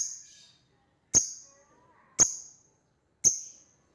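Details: Lovebird calling out to an opponent: three sharp, piercing high chirps about a second apart, each with a short ringing tail, over faint background voices.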